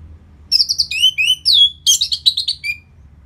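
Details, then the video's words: Orange-headed thrush singing as a lure to make birds more excited and aggressive after the moult. A rapid medley of slurred whistles and buzzy high notes runs without pause for about two and a half seconds. "Pancingan Suara Burung ANIS MERAH Pasca Mabung || Selow Bikin Burung Bergairah jadi lebih agresif"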